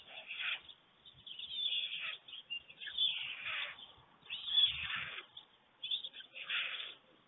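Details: White storks, an adult pair at a nest in Germany on 24 June 2020 at 5:38 a.m., clattering bills to greet as one returns to feed its single storklet; harsh, noisy rattling bursts repeat at irregular intervals.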